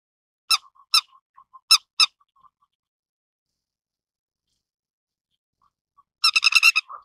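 Grey-headed Lapwing giving sharp, harsh squeaky notes, four spaced over two seconds, then a rapid chattering burst after a pause.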